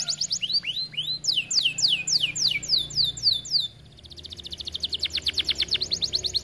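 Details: Gacor canary singing to provoke other canaries into song: fast series of descending high whistled sweeps, then a quieter run of rapid buzzy repeated notes after a short drop in volume.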